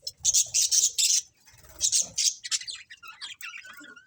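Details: Budgerigar colony with a run of loud, sharp high chirps in quick succession, a pause, then more chirps and a thin rising whistle near the end.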